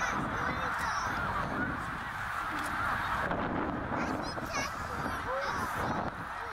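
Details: Snow geese on northbound migration at Middle Creek, Pennsylvania, 2023, with some eighty thousand birds present. Many overlapping nasal honks merge into a steady clamour, with a few clearer individual calls rising above the din.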